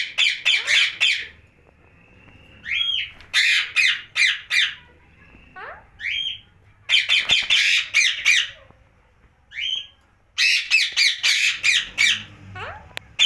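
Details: At night a rose-ringed parakeet alternates clusters of raspy squawks with brief gaps holding short rising whistled notes, the bursts spaced a few seconds apart.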